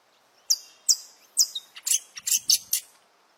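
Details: Alvorada dawn song of a wild saffron finch: seven high chirps, the first ones clean and sliding down, the later ones louder, broader and more rasping, bunched closer together.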